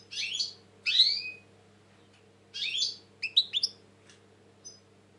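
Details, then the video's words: European goldfinch, described as very tense currently, making harsh, buzzy, wheezing calls followed by a quick cluster of clipped twittering notes. A faint hum runs underneath. "Saka kuşu ötüm"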